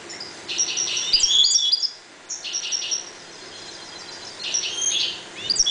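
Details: Caged European goldfinches breeding in a 1.20 m cage give twittering song: bursts of high, tinkling, buzzy notes in two phrases around one to two seconds long, separated by a short pause.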